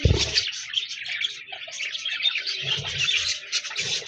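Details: Budgerigars keep up a steady, busy warbling of high chirps and twittering phrases, with a low knock at the start and soft low murmurs later.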